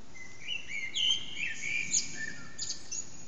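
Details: Eurasian blackbird singing in an echoing backyard around 4:30am, recorded on an HTC Desire phone: mellow fluted phrases that slide and waver, ending in thin high twittering notes, with a soft hiss behind.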